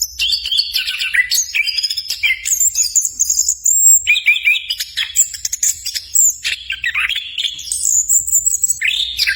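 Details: A tutor song from an orange-headed thrush, used to lure other birds into singing. Continuous high-pitched warbling packs rapid chirps, trills and clear whistles into dense bursts, with frequent downward slurs and short gaps between phrases.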